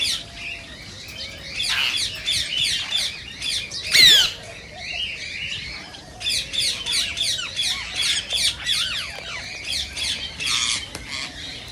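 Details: Green rose-ringed parakeet sounds said to excite other parakeets into song and mating: long runs of quick, scratchy chattering notes, one sudden loud sweeping shriek near the middle, and the busy chatter resuming afterwards.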